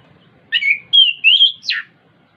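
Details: Song of the orange-headed thrush as a prompt for a caged bird: a burst of warbled notes, two smooth whistled slides, and a sharp downward-sweeping final note.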